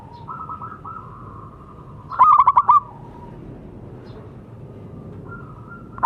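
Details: A local zebra dove, sung for doves that have gone quiet: soft, level coos lead into one loud burst of about five quick notes, and a new burst starts at the end.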